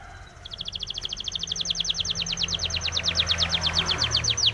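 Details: Spanish timbrado canary training song: a sustained, steady trill of rapid metallic notes running over four seconds, with a low droning hum beneath.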